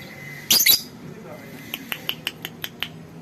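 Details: Young second-generation lovebirds, hatched as a pair and now adolescent, kept for pairing; other lovebirds bathe and build nests in the morning. Two loud, shrill squawks burst out, followed by a run of short, sharp ticking chirps.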